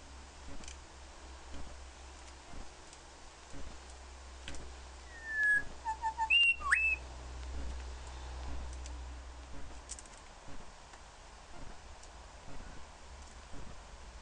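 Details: A male grey shrikethrush sings at his own reflection in a mirror. A few clear whistled notes, including a short slurred phrase and a sharp upward note, rise above a steady low hum and soft background clatter.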